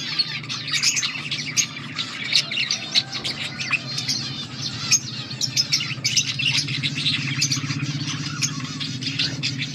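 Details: Budgie chatter from August 14, 2024: continuous scratchy chirps and warbles from several birds, over a noticeable steady low hum.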